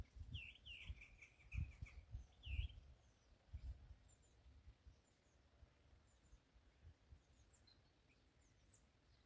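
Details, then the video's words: Starlings singing on a linden tree, March 28, 2024, phone recording: clear bursts of short, bent chattering notes in the first few seconds. Faint high clicks and squeaks come later, over steady low rumble and thumping noise. "Starlings singing on a linden"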